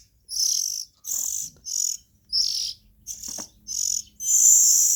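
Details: Young Oriental magpie-robins in the nest give a run of rasping, high hissy calls. Each burst lasts about half a second and repeats roughly every 0.7 seconds, with the last one longer and louder.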